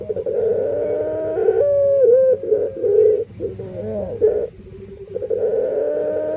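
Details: Burung puter dove singing in its unusual voice, unlike other doves: drawn-out level notes with wavering and dipping sections, broken into phrases, then a quieter pause before the tone resumes.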